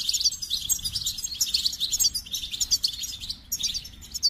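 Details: Continuous goldfinch song, a fast stream of high liquid twitters, chirps and tinkling notes run together with hardly a pause, lively and musical throughout.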